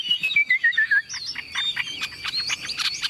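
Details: Tame caged Chinese Hwamei, newly acquired: a short run of clear whistled notes stepping downward, followed by softer rising slurs and scratchy chirps.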